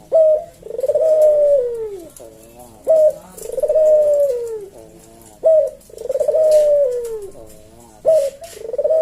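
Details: Javanese collared dove, a cage bird, cooing in the slow 'senggang' kuk-deruk style, used as a tutor and lure recording. Each phrase opens with a short note, then a long, slightly falling coo, repeated about every two and a half seconds.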